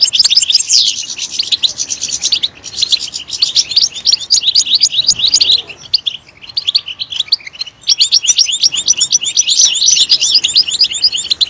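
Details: European goldfinch singing loudly: dense, fast twittering of high, bright chirps and trills, with notes rapidly rising and falling, broken by a short pause near the middle.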